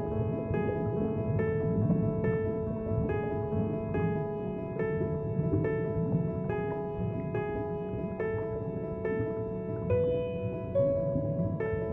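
Soft piano music with sustained tones and gentle repeated notes, with no animal sound audible.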